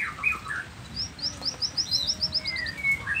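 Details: Nias 'noktah' white-rumped shama in lively song, meant to provoke other shamas to reply instantly: a few whistled notes, then a fast run of high clipped notes repeated in a trill, and clear drawn-out whistles.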